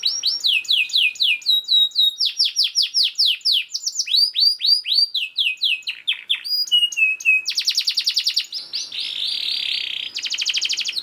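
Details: Canary song, a fast dense 'gacor' master song for training other canaries, with rapid series of high downslurred notes, trills, buzzy rolls and short steady whistles changing every second or two.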